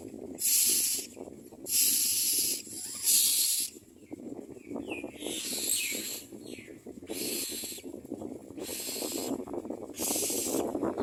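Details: Very hungry common mynas at a nest: a run of seven harsh hissing bursts, regularly spaced, with a few faint squeaky notes between them and a low background rumble.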